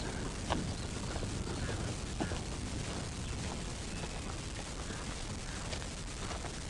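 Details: Low rumbling vehicle and mechanical noise with faint clicks and creaks, and no clear animal voice.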